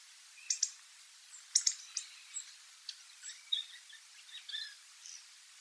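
Hawfinch giving sharp, explosive high ticks, singly or in quick pairs at uneven intervals, with faint thin chirps scattered between them.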